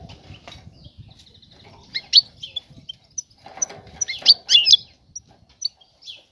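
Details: Female European goldfinch, ready to breed, calling to attract a male for mating and nest building; short bright twittering chirps in bursts, loudest clusters near the middle, with faint low rumbling in the background.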